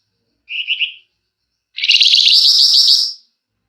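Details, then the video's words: A flamboyan bird, in a song recording meant as a lure, gives a short high trilled note and then a dense, rapid, buzzy chattering phrase of about one and a half seconds. "Burung Flamboyan GACOR Ngebrenn RAPET PANJANG!! Nyecrett Emosi Cocok Buat Pancingan"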